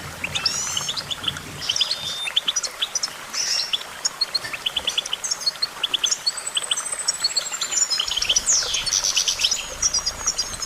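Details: Goldfinch song of quick chirps and trills, later joined by a thin high whistle that drifts downward, set against soft hiss and a low hum.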